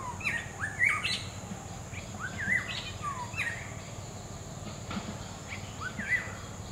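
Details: Black-hooded Oriole (Oriolus xanthornus), a year-round resident of tropical regions: short liquid whistled phrases, rising and falling, repeated every second or so, with other birds overlapping, a steady high insect whine and low background rumble.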